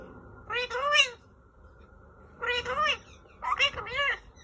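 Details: A male green Indian ringneck parakeet talking indoors: three bursts of high, nasal, speech-like syllables with arching harmonic sweeps, separated by pauses over a steady low hum.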